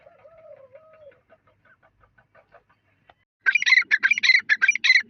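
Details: Partridge starts with quiet ticking and a soft whistle, then bursts into loud, rapid, rasping notes repeated several times a second.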